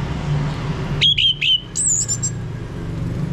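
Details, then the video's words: Orange-headed thrush (Geokichla citrina) prompting song, played so a male will sing in the loud 'ngeplong' style: three short slurred whistled notes in quick succession, then a higher thin warbled phrase, over a steady low rumble. "Pancingan Ini Agar ANIS MERAH Mau Berbunyi Ngeplong Kalau jantan"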